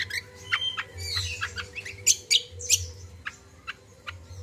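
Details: Common iora singing actively, used as a lure to prompt young captive birds to sing: varied sharp chirps, short trills and high squeaky notes in irregular bursts over a steady low hum.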